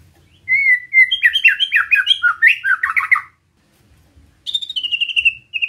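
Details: White-rumped shama in a steady besetan-style song meant to provoke other shamas: a long run of rapid warbled, stuttering notes, a pause, then a high trill descending in pitch.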